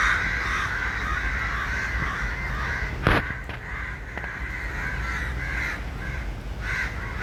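Several crows caw harshly and almost without pause, their rasping calls overlapping into a steady chorus, with a brief louder thump and low background rumble.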